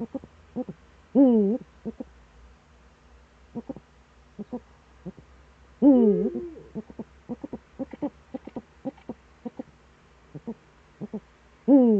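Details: Eurasian eagle-owl, Eifel, 26 September 2013, around 07:00. Loud, harsh, harmonic calls come roughly every five seconds. Many quick soft clicks and pulses are scattered between them.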